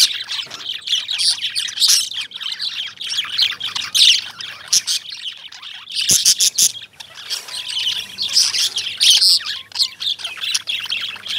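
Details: Continuous lovebird chirping: busy, high-pitched twitters and squeaks from several birds, broken by a couple of sharp clicks midway before the chattering resumes.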